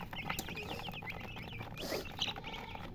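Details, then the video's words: Chirping chicken, with many quick high peeps falling in pitch, given in an irregular string over constant broadband noise and low hum. "silly chicken chirping sounds"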